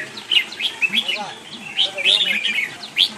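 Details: Red-whiskered bulbul (Pycnonotus jocosus), likely a kept songbird, gives quick, bright, high chirps, about seven in three seconds, some in short twittering runs, over faint lower background sounds.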